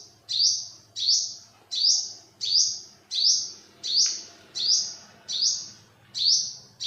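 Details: Olive-backed sunbird repeating a bright, piercing call about ten times, each note flicking upward then holding high and steady, evenly spaced under a second apart over a low, continuous background hum.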